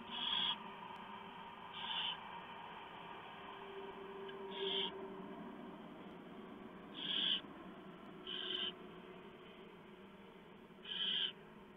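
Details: Barn owls at a monitored nest at 3:59 AM on 3 November 2015, with the female tearing up a big mouse the male delivered for the owlets. Six rasping hiss bursts at uneven intervals, with faint lower tonal sounds and a steady hum.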